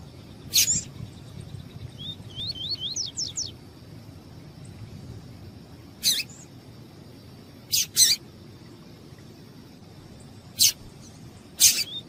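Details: Female double-collared seedeater calling to arouse a male: an early harsh chip, then a rapid series of thin rising whistles. Scattered sharp high chips, single and paired, follow over the next several seconds.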